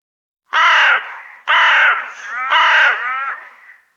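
A raven gives three harsh, throaty croaks about a second apart, each rough and slightly falling at the end. No other sounds are heard.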